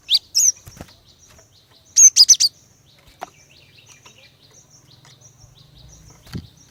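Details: Female Cinereous tit luring males to sing: two quick high chirps, then a fast burst of four piercing notes, followed by faint soft ticking and a low knock.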